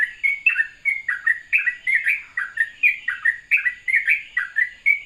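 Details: Morning ropelan song of a sooty-headed bulbul, calm and flowing: rapid chains of clear chirping notes with quick falling and rising inflections, tightly packed with barely a pause between them.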